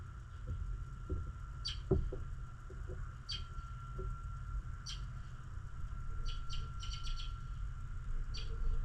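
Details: Birds chirping on a snowy morning: short, sharp high chirps scattered singly and in quick pairs across the clip over a steady low rumble, with a thin constant tone and a few soft lower clicks.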